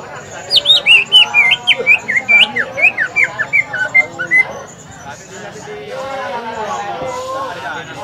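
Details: Green leafbird at a bird practice contest at Lapangan Semparuk, song used to provoke other birds; a lively, uneven run of piercing whistled and chirping notes for four seconds, followed by crowd voices.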